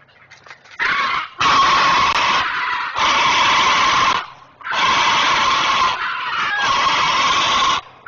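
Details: Great blue heron parent on its nest at Chesapeake, calling in alarm while it protects its young, recorded 19 May 2023 by a live nest camera. The calls are loud, harsh, rasping squawks, each lasting one to one and a half seconds, with short gaps between them.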